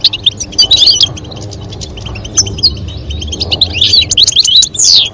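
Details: European goldfinch pair, the female calling and the male singing toward mating; scattered bright chirps, then a rising jumble of fast twitters and a sweeping note near the end over faint low hum.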